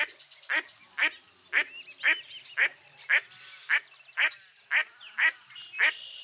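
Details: Around eleven harsh, descending quacks from a mottled duck, spaced about half a second apart, with thin high bird whistles faintly behind.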